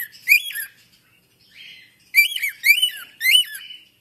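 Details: African grey parrot heard with a single curving note, a brief buzzy murmur, then three evenly spaced, loud, rise-and-fall syllables in quiet surroundings.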